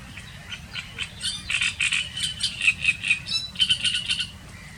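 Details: Great reed warbler singing from reed beds and sedge: a very loud, harsh, multi-syllabled song of croaking, grating and rattling notes in rapid bursts, with low wind-like rumble underneath.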